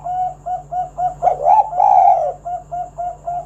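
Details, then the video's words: Spotted dove calling in 'kuk 1' style to lure other doves to sing; a rapid series of short, soft, evenly spaced coos broken by a louder, drawn-out warbling phrase in the middle, with a low background hum. "Tekukur Kuk 1 Gacor Suara Panggilan Burung Derkuku agar Bunyi Gacor Manggung"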